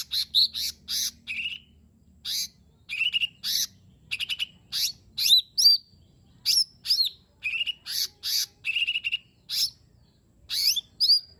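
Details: Lesser green leafbird delivering a long, varied song meant to stir a silent bird into singing: rapid series of chirps, harsh buzzes and downslurred whistles, delivered in steady clusters with hardly any gaps.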